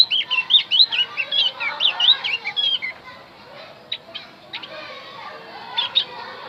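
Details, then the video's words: Javan grey-throated white-eye song used to lure wild birds: a dense, rapid stream of high twisting whistles for three seconds, followed by quieter scattered chips. "opior Jawa pasti nyaut pancing dengan Opior Jawa ini"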